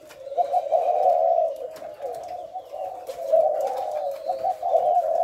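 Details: Thổ lối calling of a spotted dove, recorded on 18 September; a near-continuous low coo with bursts of louder, vibrating notes around the middle and end, over a quiet background with faint chirps.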